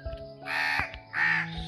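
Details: A crow in Bangladesh gives two harsh, rasping caws about a second apart, with a steady tonal drone running underneath.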